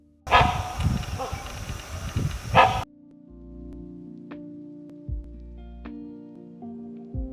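Great hornbill giving loud, harsh, barking calls in a rough burst lasting about two seconds, followed by soft sustained music.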